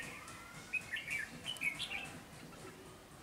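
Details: Red-whiskered bulbul, wild-caught and caged, delivering a rapid phrase of clear, bubbling whistled notes lasting about a second and a half, then quiet.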